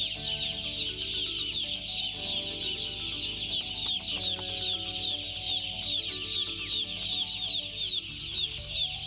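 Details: A group of broiler chicks peeping nonstop: shrill, short, slightly rising cheeps packed tightly together, over a constant low hum.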